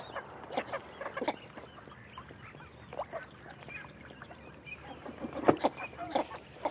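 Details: Northern shoveler calling: short, low, nasal clucking notes given in loose irregular bursts, some paired, over a faint steady background hiss.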